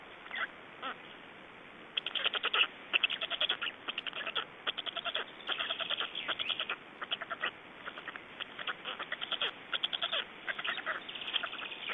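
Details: Black storks in Estonia at feeding time and a changeover, 25 May 2012, late afternoon; dense runs of short, harsh rasping pulses that repeat rapidly after a brief quiet opening, with faint background hiss.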